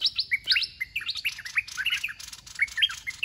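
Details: Caged red-whiskered bulbul used as a decoy in bird trapping, singing rapid bright whistled chirps and slurred warbling phrases, many short notes tumbling up and down in quick succession, with faint background hiss.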